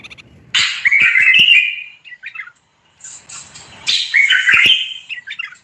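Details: Common bulbul singing two short chattering, warbled phrases about three seconds apart, each opening with a harsh burst and then running into rapid, slurred notes. The background is otherwise quiet.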